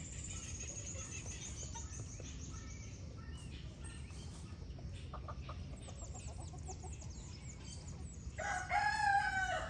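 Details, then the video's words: Farm chickens at dawn in the countryside: soft scattered clucks and faint high chirps, then a loud, harmonically rich rooster crow bursts in near the end and is cut off, over low background hum. "GALO CANTANDO, Som de Galinhas, Sons da Roça ao Amanhecer"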